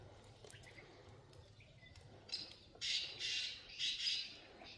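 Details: Wild black francolin calling: after a quiet start, three loud, harsh, scratchy bursts follow each other quickly in the final two seconds over a faint low rumble.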